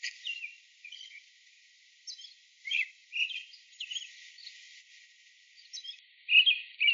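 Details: Male American Robin gives its primary song early in the morning: a rich, rolling caroling of short whistled cheerily cheer-up phrases, broken by brief pauses at an uneven pace. Faint background hiss.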